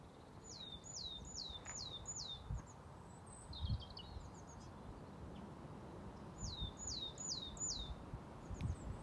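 A willow tit sings two runs of five clear, down-slurred whistles, 'tsiu-tsiu-tsiu', about half a second apart, over low wind rumble and a few faint chips.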